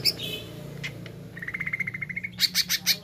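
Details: Greater green leafbird singing in the jamtrok wik wik style. A brief chirp gives way to an even string of quick whistled notes, then louder, sharp ringing bursts repeated several times over a constant low hum.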